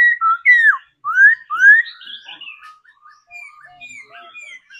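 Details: Trained laughingthrush, kept as a singing bird and practised every day, gives loud slurred whistles rising and falling in quick succession, followed by a string of softer, scattered high notes.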